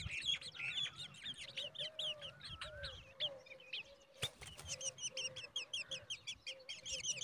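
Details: Black drongo chicks seen close up, begging with dense overlapping high chirps and short rising squeaks that repeat rapidly throughout, over a faint lower whistled tone.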